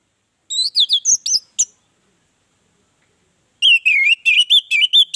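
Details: Orange-headed thrush singing as a lure for other birds: a phrase of looping high whistles and sharp chips, a two-second pause, then a denser run of wavering whistled notes.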